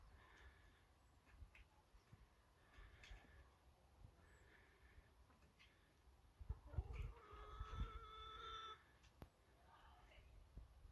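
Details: A young cockerel's first attempts at crowing: one drawn-out harmonic crow of about two seconds, faint and fairly steady in pitch, set against a quiet background with soft low rumbling and small knocks.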